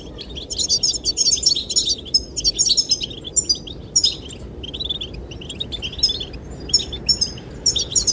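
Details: Several goldfinches chirp and sing to attract a female. Quick, high, jingling twitters arrive in clustered bursts with short pauses, over a constant low roar of wind.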